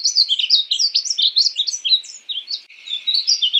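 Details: Male-plumaged painted bunting described as a North American cardinal relative; continuous high, tumbling warble of quick varied notes, briefly dipping then resuming in a clean recording.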